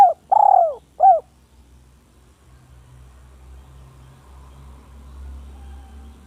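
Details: Village spotted dove calling a rival, recorded as a masteran training recording: a short, husky three-part coo phrase with a longer middle note in the first second, followed by low rumbling background noise.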